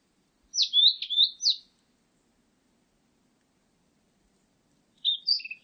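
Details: Blue-and-white flycatcher singing, 2020 recording: a brief warbled phrase of sweet whistled notes swooping up and down. A long silence follows, then a second short phrase begins with rising and falling whistles.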